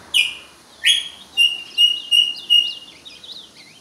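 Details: Ultramarine grosbeak singing at a rival, with other birds also singing: clear whistled notes around the middle-high range, a rising opening note, then a string of level and slurred whistles ending in quick downward-sweeping twitters.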